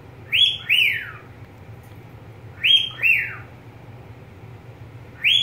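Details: Pet budgerigar delivering two-note falling whistles, two full pairs and the start of a third, evenly spaced, with a faint low hum in the room.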